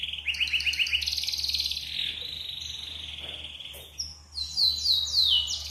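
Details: Clean yellow Atlantic canary singing a varied song for training other birds: rapid rolling trills near the start, a long sustained buzzy trill in the middle, then sharp descending whistled notes at the end; steady low hum underneath.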